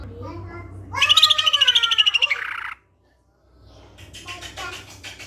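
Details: Greater green leafbird singing, recorded to coax other leafbirds to answer: a buzzy, harmonic-rich rapid trill of about fifteen pulses lasting nearly two seconds, a pause, then faint scratchy chatter against a steady low hum.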